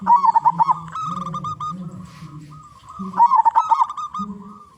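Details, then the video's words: Big-voiced local zebra dove serving as a lure for all zebra dove types. Rapid rolling coos lead into a long vibrating trill, and the sequence repeats. A steady low droning hum runs underneath. "Perkutut Lokal Gacor Suara Besar"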